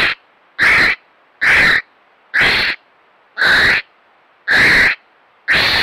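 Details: A captive North Island Brown Kiwi at Te Puia, New Zealand, in June 2022 gives a series of loud, harsh, hoarse calls, each about half a second long, repeated roughly once a second with short silent gaps between.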